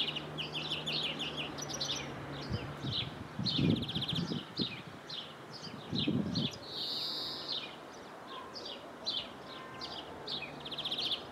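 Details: European greenfinch in Jordan, recorded through a window, gives quick, bright chirping and trilled twitters, several notes a second, over a low steady hum and a few dull rumbles.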